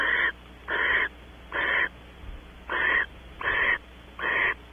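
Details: Barn owls in a nest box at Audubon Starr Ranch, California, as the female enters and the pair mates: six harsh, breathy hissing bursts, each about half a second long, with short silent gaps between them.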